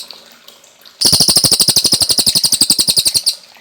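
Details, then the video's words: After a second of faint background, a Cililin bursts into a loud, fast trill of sharp high notes, about ten per second, lasting over two seconds. Sung on a clear cage-bird training recording. "Masteran Burung Cililin Gacor Jernih"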